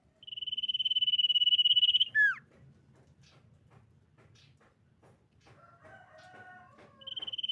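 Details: Female common iora lure call, used to bait other ioras into singing. A long, level, vibrating high whistle ends with a sharp downward slur, then faint chips, then the drawn whistle starts again.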